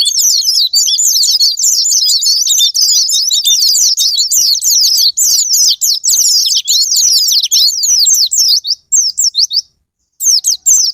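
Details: White-eye song meant as a sparring partner to make caged white-eyes sing: a long, fast run of shrill repeated twittered notes, about seventy phrases a minute, with a brief silence near the end.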